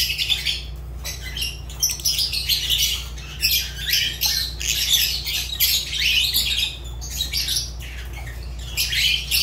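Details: Excited pet Fischer's lovebird calling almost without pause: grating, high squawks and squeaky chirps in rapid irregular bursts, loud throughout, with a steady low hum in the background.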